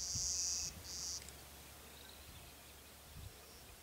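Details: A male Clay-colored Sparrow sings two flat, insect-like buzzes, the first longer, high and dry, over quiet hiss; Glacial Ridge NWR, Minnesota, 18 May 2010.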